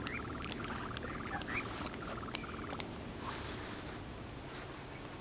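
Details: One of two male European nightjars at Coombe Heath, RSPB Arne, on 28 June 2018 at 21:54 BST after sunset, gives a dry, rapid churring trill in broken runs for about three seconds, with sharp clicks, over a low wind rumble.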